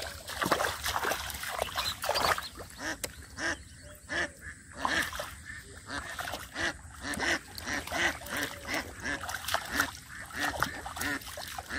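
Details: Ducks calling at the water's side in a rural village as a boy gropes for catfish in mud; bursts of nasal quacks in uneven clusters, mixed with splashing and brief human voices.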